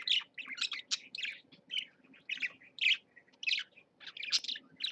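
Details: Caged parakeets, two birds together, utter short, separated chirps and squeaky notes, roughly three to four bursts per second, high and nasal over a soft low hum.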